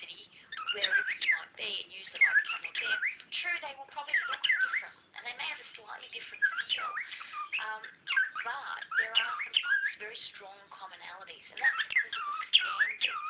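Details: A pet cockatiel kept indoors chatters over an online lecture. It gives continuous whistled warbles with rising and falling notes, while a lecturer's speech runs underneath.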